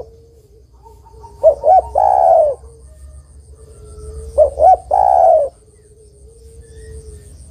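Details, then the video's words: Spotted dove female calling to a male, giving two clipped coos and then a longer, fuller coo. The three-note phrase comes twice, roughly three seconds apart, with a thin continuous tone humming in the background. "TEKUKUR BETINA MEMANGGIL JANTAN"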